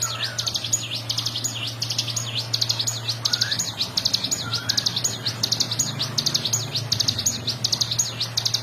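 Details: Bar-winged prinia singing for songbird training: bursts of fast, high, sweeping notes in short clusters, with a few soft lower whistles from another bird and a steady low hum underneath.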